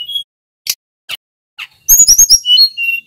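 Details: Snowy-browed flycatcher song, used as a lure for training songbirds: a few scattered short chirps, then a fast cluster of high, twisting whistled notes ending in falling thin whistles.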